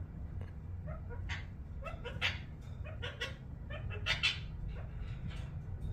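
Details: Ring-necked parakeet kept as a pet, giving happy sounds: quick, irregular chirping squeaks, clustered and brighter around the middle and toward the end, with a constant low-pitched background hum.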